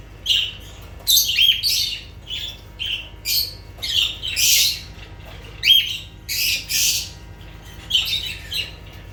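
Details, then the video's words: Lovebirds giving loud squawks: rough, hissy bursts alternating with thin piercing chirps, roughly two a second, irregular, with faint background hum. "Sounds of lovebirds"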